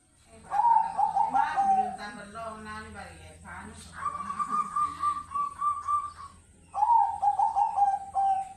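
A zebra dove gives soft, bubbling cooing trills in three rolling bursts, the middle one steadier and slightly higher-pitched, with a faint low hum beneath.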